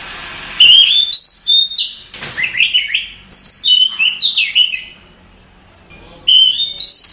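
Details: Night-time calling by a female Oriental magpie-robin to a male: loud, varied whistled phrases with quick slurs and chirps, rising and falling, broken by a gap of near silence before a final rising phrase.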